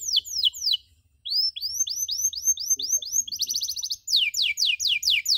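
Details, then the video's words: Canary chirp training recording: descending chirps, a short gap, then a string of rising-falling whistled notes, a fast trill, and loud steep downward sweeps repeated at the end. "MASTERAN KENARI SANGAT COCOK UNTUK PAUD YANG LAGI BELAJAR BUNYI CUIT CUIT"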